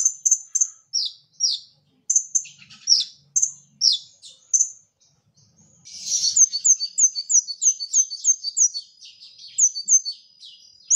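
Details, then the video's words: Brown-throated sunbird, kept songbird in Indonesian training style, singing rapid high thin notes: series of short descending chirps, then a fast run of sharp repeated ticks about three per second, all very high-pitched and clean. "Kolibri Ninja Gacor Masteran"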